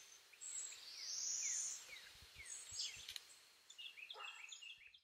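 A young red-shouldered hawk gives a rapid run of short, downslurred kee-ah screams, with a loud high insect hiss and a few small bird chirps behind.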